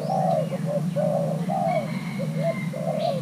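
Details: Young male spotted dove of Thai cross, in the middle of pairing, coaxed into calling: low cooing phrases of short clipped notes and longer slurred coos, with a thin sustained whistle and chirps from other birds.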